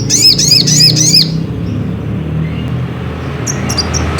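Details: Provocation song of a ruby-cheeked sunbird, known locally as sogok ontong: four clear, arched, high chirps in quick succession over about one second, then a quiet gap and faint high ticks, with a low hum throughout.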